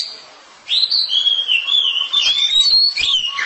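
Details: Loud whistled song of a home-kept oriental magpie-robin. After a moment of quiet, a long, smooth, wavering whistle starts and then breaks into quicker chips and slurs.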